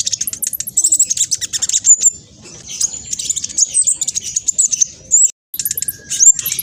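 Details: Fast, noisy black sunbird song meant to provoke other birds into replying: dense, very high, rapid twittering and buzzy trills running almost nonstop, with a brief break near the end.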